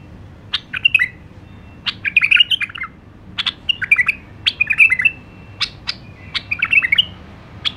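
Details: White-eared bulbul, called Iraqi nightingale, a kept cage bird, singing a clean song: short bursts of bright chirpy phrases mixing sharp rising notes and warbled twitters, repeated every second or so with brief pauses, over a faint low background hum.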